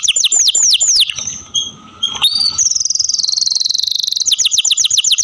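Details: Canary singing in captivity: quick descending whistles, a brief pause with faint notes, then a long high buzzy trill and renewed falling sweeps.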